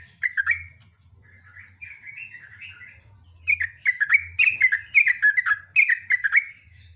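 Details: Sooty-headed bulbul giving a loud, long song: bubbling, warbled phrases of quick falling and rising notes, repeated in a lively stream that grows louder and busier toward the end, with a low hum beneath.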